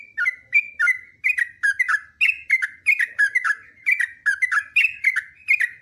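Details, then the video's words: Yellow-vented bulbul singing a long, unbroken ropelan training song: a steady stream of bright, bubbling two-part notes, each dipping in pitch, delivered in close succession with barely a pause throughout. No other sounds. "TRUCUKAN GACOR ROPELAN PANJANG"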